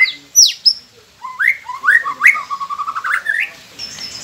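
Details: White-rumped shama song played to prompt captive birds to sing: two sharp high downslurred whistles, then a rising series of warbled notes climbing steadily over about two seconds.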